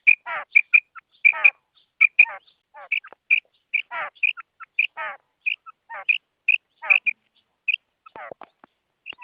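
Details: Calls of a female quail meant to attract quails for trapping: a running series of sharp, paired piping notes alternating with raspy, descending buzzy notes, repeated throughout.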